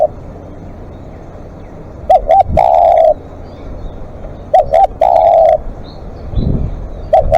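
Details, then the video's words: Spotted dove calling long as a live decoy, two complete phrases of paired short coos and a drawn coo, a third just starting at the end, with clicks and a brief low thump. "เสียงนกเขาใหญ่ ต่อสดเรียกยาวๆ"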